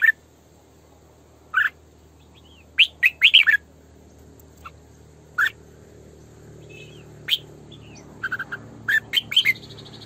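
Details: Female red-whiskered bulbul kept to train and lure other bulbuls, singing sổ bọng căng: spaced single chirps and short bursts of three to four quick, whistled, tumbling notes across ten seconds, with steady faint hum.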